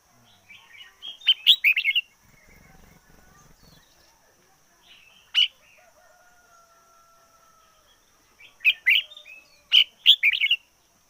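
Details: Decoy red-whiskered bulbul singing hard: quick clusters of bright, liquid, warbled chirps open and close the passage, a single sharp note falls between them, and soft thin whistles and a faint low rumble fill the gaps.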